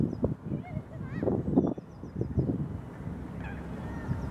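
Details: At Oak Road Lake, a drake gadwall chases and displays at a female and then chases another drake, giving low, burping croaks in quick irregular bursts with a few faint high whistles over a steady background murmur; a drake shoveler is nearby.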